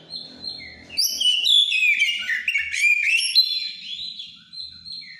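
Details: Song of a white-rumped shama in breeding condition: long flowing whistled phrases, melodious and changing rapidly in pitch, building into a dense warbled burst, then sustained high whistles.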